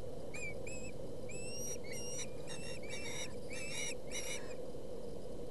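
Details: Osprey chicks fighting over a fish at the nest in Boulder County, 20 August 2017: high, thin, upslurred whistled calls repeated in a quickening series, over steady loud hiss and rumble.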